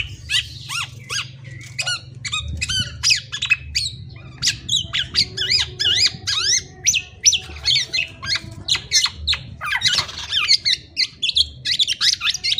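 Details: Black-naped oriole in a long run of sharp, squeaky, rapidly sweeping whistles and chattery notes, delivered almost continuously at close range indoors.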